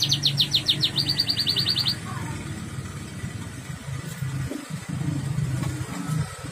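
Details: Yellow canary giving a melodious, rapid, high rattling trill for about two seconds, then falling silent while low background rumble, traffic-like noise and faint clicks continue.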